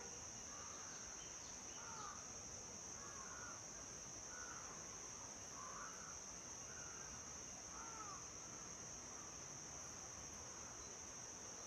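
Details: Lesser whistling duck giving faint, thin whistled calls, each a short rising-then-falling slur, repeated roughly every second across the recording, half-buried under a steady high insect-like hiss.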